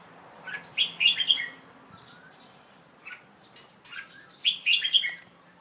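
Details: Young male Red-whiskered Bulbul, a kept bird recorded on 1 January 2012 in late afternoon after bathing, giving two lively bubbling warbled phrases separated by softer scattered chirps.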